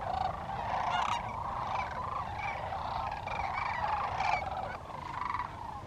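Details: Large flock of sandhill cranes in Willcox, Arizona, where thousands migrate from October to February: a steady chorus of many overlapping rattling bugles, rising to louder bursts around one and four seconds, then easing slightly.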